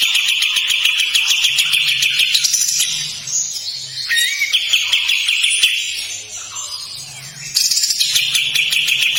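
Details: Long, coarse rattling song of a kapas tembak: rapid buzzy pulses, a middle passage of varied chattering notes, then the harsh trill returns strongly.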